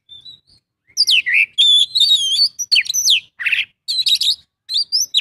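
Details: Oriental magpie-robin in full song: loud, varied whistled phrases with sweeping, slurred notes and quick trills, delivered in bursts separated by brief pauses, high-pitched and clear against a quiet background.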